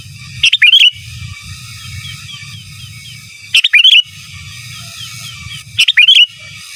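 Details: Sooty-headed bulbul singing lively 'gacor giras' and 'menggaruda' style song, used as a master song for training birds: three short bubbly whistled phrases, each rising then dipping, spaced about every three seconds over a steady low hum.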